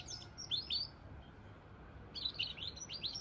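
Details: A goldfinch–canary cross sings two bursts of quick, sliding high twitters separated by about a second of near silence.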